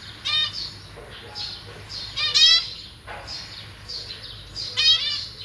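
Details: Caged zebra finch family, the parents busy feeding three juveniles and three new fledglings: rasping, buzzy calls rich in overtones come in irregular bursts, with faint chatter and softer tweets in the gaps.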